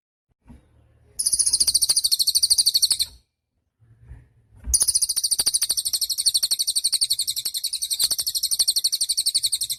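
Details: High-pitched buzzy trilling from an actively singing cililin bird, recorded as a master song for songbirds: a two-second rapid pulsed burst, a pause with faint low rustling, then a longer continuous trill.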